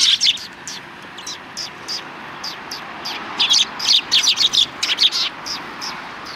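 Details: A group of sparrows on the approach road to a Tenmangu shrine, December 13, 2019, chattering in sharp high chirps that come faster and thicker toward the middle, about two hundred notes a minute.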